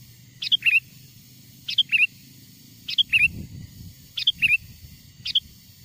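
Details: Sooty-headed bulbul lure call copied from wild birds to draw wild bulbuls close: five short bright phrases about a second apart, the final one clipped shorter, over a low rumbling background.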